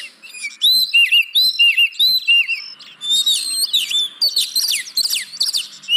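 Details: Oriental magpie-robin song as a lure to make unwilling caged birds sing: a repeated whistled motif roughly every half second at first, then a faster tumble of slurred whistles and chirps.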